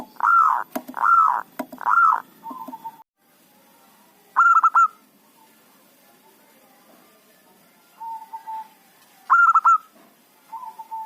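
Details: Zebra dove of local stock, lively and used as a lure to catch rival wild birds: three loud rolling coos open, then two more bright stuttered bursts with softer single notes in the pauses.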